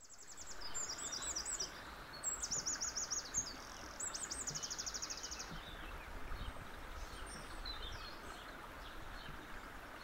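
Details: Eurasian wren singing rapid, very high trilled phrases in several bursts over the first six seconds, each a fast run of sharp repeated notes, over steady background hiss and a low rumble.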